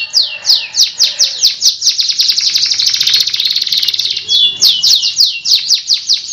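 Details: Canary singing a long training song: rhythmic falling whistled slurs repeated quickly, merging into a dense rolling trill, then resuming the swooping notes.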